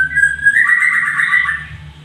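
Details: A white-rumped shama, a bird prized by songbird keepers for its special voice, sings a loud, clear whistled phrase that steps up in pitch and then runs on in a rapid warbling trill that slowly fades.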